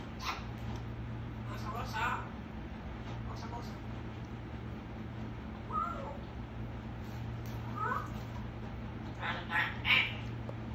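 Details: Talkative pet African grey parrot producing a scattered string of short squawks, chatter-like syllables and clicks, busiest near the start and end, over a constant low electrical hum.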